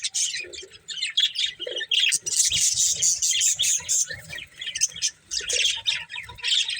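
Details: Budgerigars, a breeding pair, chirping in quick, high, scratchy bursts and twittering phrases, rising and falling in loudness with short gaps.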